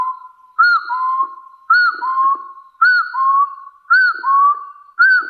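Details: Rival-challenging call of a hill partridge, clear two-note whistles about once a second: an arched bright note dropping to a lower, evenly held whistle, five phrases with slight rustling in the background.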